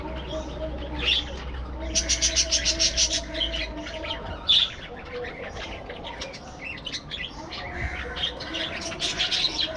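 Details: Budgerigar flock in a colony aviary set up for breeding; a burst of fast repeated chips, then scattered chirps and warbles from many birds over a low background hum.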